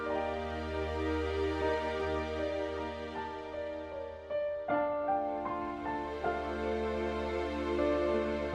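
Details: Soft, slow piano music with sustained notes and a low steady hum fills the recording, with no animal voices.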